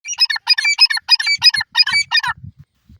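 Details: Grey francolin, locally called teetar, calling: a rapid run of harsh, bright, harmonic-rich notes repeated about three times a second for over two seconds, then stopping, with soft low thumps underneath toward the end.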